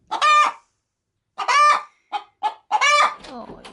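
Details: Pet hen about to lay an egg inside a chicken-feed bag, cackling as someone comes near: long harsh squawks with two short clucks between them, ending in faint rustling.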